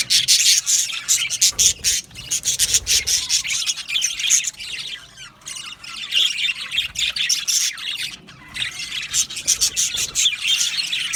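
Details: Aviary colony of budgerigars, singing and chirping together: loud, overlapping scratchy warbles and squawks, with dense chatter that fades slightly in the middle and builds again.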